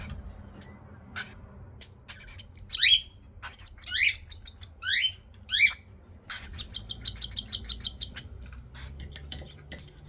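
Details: Cockatiel chicks at feeding give several steep rising squeaks, then a quick, evenly spaced run of short chirps, about ten pulses, over a steady low hum.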